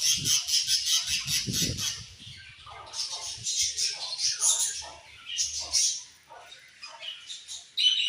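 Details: Budgerigars chirping: rapid pulsed high chatter at first over some low knocking, then looser scratchy warbles and chirps.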